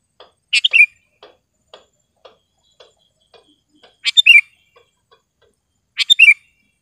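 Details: Sharp, clear song of a sooty-headed bulbul, meant for training caged birds and calling wild birds in gardens: three quick bubbling whistled phrases a couple of seconds apart, with faint regular ticking clicks between them.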